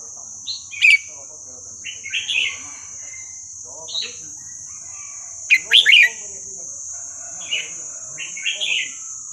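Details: Red-whiskered bulbul giving Burmese-style song for training young birds: short bright warbled phrases every couple of seconds over a steady high-pitched buzzing drone.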